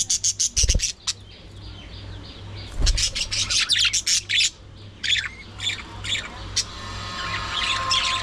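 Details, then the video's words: Budgies during early morning feeding time chatter loudly. Bursts of sharp, rapid chirps and harsh squawks come in quick runs separated by short pauses, ending in softer warbling over a low background hum. "Budgies Full Time Activities | Early Morning Feeding Time"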